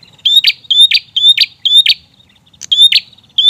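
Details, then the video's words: ['Prinia singing loudly and insistently, used as a lure for untrained birds: short rising whistled note followed by a harsh burst, repeated rapidly about seven times with a brief pause.'] "prenjak gacor ngotot"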